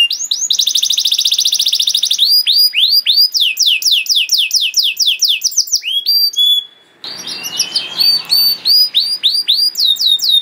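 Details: Training song of a canary for young birds: a fast buzzy trill, then repeated descending sweeps, a brief pause near 7 seconds, and further whistled phrases over faint background noise.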